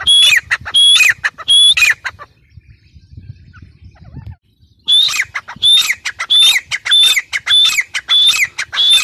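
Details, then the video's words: Grey francolin giving shrill, high, ringing notes in quick repeated bursts, then a few seconds of quiet with a faint low rumble, followed by a longer fast run of the same sharp phrases. "teetar sound | gray francolin teetar sound"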